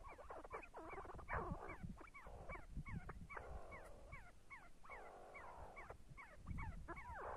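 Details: See-see partridges calling together: rapid series of short downslurred whistles, repeated almost every fraction of a second over a murmuring background of softer chatter and low rumble.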